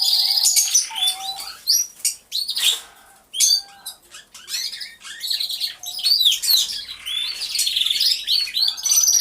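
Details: Canaries singing together in an aviary, caught on a hidden camera: bursts of bright high chirps and rapid trills separated by short pauses, with occasional lower whistled notes.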